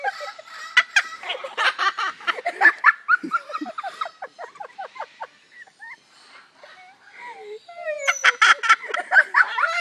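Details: An umbrella cockatoo at Parrot Mountain, Pigeon Forge, Tennessee, mimics visitors' laughter in bursts of rapid, harsh, rhythmic 'ha-ha' notes, with squawky slurred sounds in a pause between bursts.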